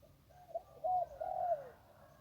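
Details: Zebra dove, a wild bird by the Ping River, gives a short burst of rolling coos: a few soft notes, then two loud, slurred trilling phrases that fall away at the end; faint low rumble behind.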